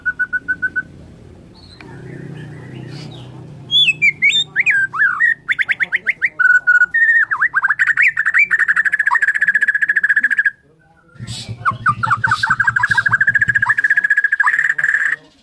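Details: White-rumped shama (Bornean murai) in the morning sings a varied, rich song of clear whistles, sweeping slurred phrases and rapid repeated notes, with brief pauses between bursts.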